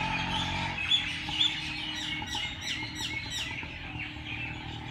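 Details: Birds chirping in the early morning at Race Course Jilani Park, Lahore. Quick series of sharp, descending chip notes, about two per second, with a couple of clear whistles and a faint steady hum.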